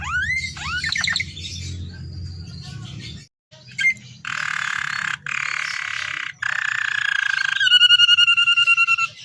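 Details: A canary in vigorous, ornate song, intended to coax other canaries into singing: upswept notes and a thin whistle, a short silence, three dense buzzy rolls, then a steady pulsing whistled trill, with a low background hum.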